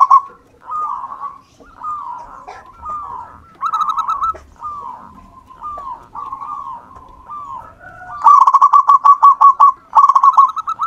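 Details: Local wild-type zebra dove: a long run of evenly spaced, falling soft coos, then an extended, loud, rapid stuttering trill near the end.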